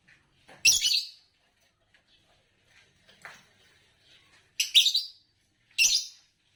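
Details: Green Fischer's lovebird, a champion singer type in Indonesian contests, gives a loud buzzy chirp, soft chattering murmurs, then two more strong rasping bursts close together near the end.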